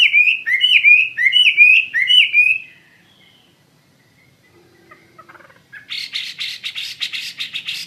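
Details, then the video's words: Chinese hwamei giving loud slurred whistles repeated roughly twice a second, a pause with faint soft notes, then a burst of rapid buzzy chatter to the end. "SUARA KICAU BURUNG HWAMEI WAMBI GACOR"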